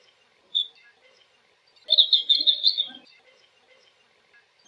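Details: Blue-cheeked bee-eater (Merops persicus) flight call: one short high chirp, then a rolling burst of rapid trilled notes lasting under a second, with faint lower sounds beneath.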